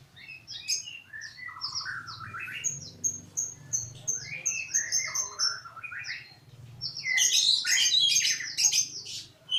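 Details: Melodious magpie-robin song with repeated high whistled notes, falling slurs, and a final burst of rich high chattering, over a low steady hum.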